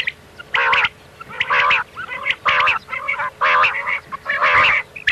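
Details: Common quail 'miankan' call for night hunting: six loud, nasal, honk-like harmonic bursts, each about a quarter second, repeated at an even pace near one per second, over a steady low hum.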